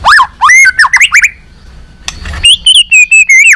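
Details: White-rumped shama singing a balak 6 lure song for catching birds: quick arching whistles and twitters, a pause with soft noise, then a loud series of high wavering whistled notes.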